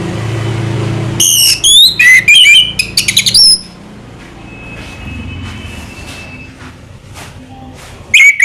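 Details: Orange-headed thrush (anis merah), Indonesia, singing in a relaxed style: a burst of loud, high, varied whistled notes and sharp rising and falling slurs for about two seconds after a low rumbling start, a quiet pause, then another phrase.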